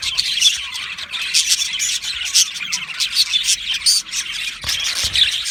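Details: Budgerigars in an aviary, said to be happy, chirp and chatter densely in high squeaky notes, with a couple of soft low knocks near the end.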